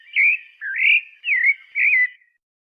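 A pale-breasted thrush sings four clear, warbled whistled phrases, each slurring up and down in a steady mid-high pitch, with a brief pause between them.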